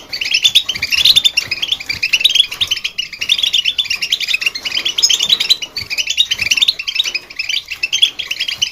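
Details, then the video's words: A goldfinch twitters without pause, a rapid, high, tinkling run of chirps and liquid trills with no other sounds. "Chirps And Sounds Of Goldfinch"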